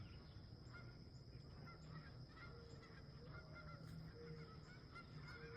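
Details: Wild geese at sunrise at a campsite, giving faint, soft honks in short repeated notes, with a steady low rumble of wind or background noise throughout.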